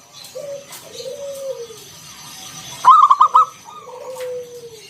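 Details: Local zebra dove used to coax other doves into song: a single loud quick roll of ringing coos in the middle, framed by quieter low drawn-out descending coos.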